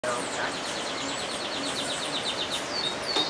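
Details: White-necked jacobin (Florisuga mellivora) in Colombia calling: a fast run of thin, high chips, several each second, over a steady hiss of background noise.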